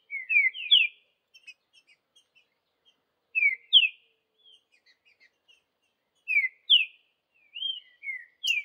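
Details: In the bush, a free-living green-winged saltator sings the Vidigal style: groups of two or three bright descending whistles repeated after pauses, with soft faint chips between the phrases.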